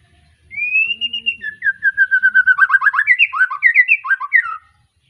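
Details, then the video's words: A White-rumped shama newly past its juvenile moult, of Tangerang Arko lineage, kept in Petarukan, Pemalang: one long rising whistle, then a fast run of about twenty bright, evenly spaced chipping notes ending in twisting flourishes. "Kicau Murai batu lepas trotol,suaranya heboh"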